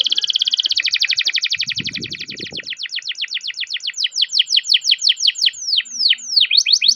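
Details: Long-rolling canary song used to stimulate other canaries: a dense rapid roll that gradually slows into distinct descending chirps, with low rumbling noise briefly in the background.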